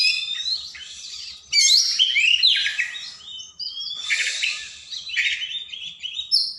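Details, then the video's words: Oriental magpie-robin (kacer) in loud, long-running training song used to stir quiet birds into singing: dense, varied whistles, trills and buzzy rasping phrases, rising and falling sweeps, with a brief pause before a burst of harsh notes. "Masteran burung Kacer/Klacer gacor dor nembak durasi panjang cocok buat pancingan burung malas bunyi"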